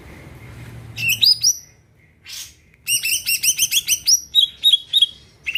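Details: Greater green leafbird in gacor song to set other birds singing: short bursts of quick high chirps and rising whistles, a brief hiss, then a longer run of rapid chirped notes ending in lower repeated whistles.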